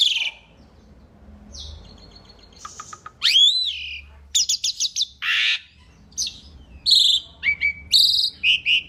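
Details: Energetic Asian pied starling song as a training recording: a thin whistle and trill, a loud looping slurred whistle, harsh buzzy blasts and quick chirps after a brief quiet spell.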